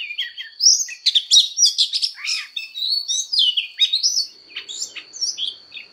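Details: Oriental magpie-robin in fired-up voice training, singing a fighting song of rich, liquid whistles, twisting slurs and clipped chirps that come in a steady rapid flow, with a faint constant high tone behind them.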